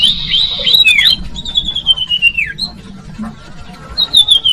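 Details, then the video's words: Cipoh or common iora used to lure young birds: a high buzzy note, then a long slowly falling whistle dropping at its end, quiet pause, and another high drawn-out descending whistle. "Audio Suara Burung Cipoh/Sirtu/Sirdung cocok buat pancingan bakalan"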